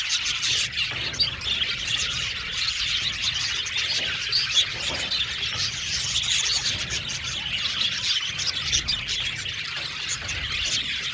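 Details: Budgerigar colony of some 70 pairs kept in an aviary, steady crowded chorus of high chattering chirps and squeaks overlapping without break.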